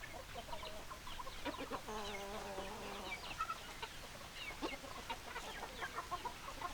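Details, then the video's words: Chickens, hens and roosters, clucking: scattered short clucks, then a drawn-out, evenly held harmonic call lasting about a second, followed by more soft clucking over a steady background hiss. "Chicken Sounds Noises Hens Clucking Roosters Crowing"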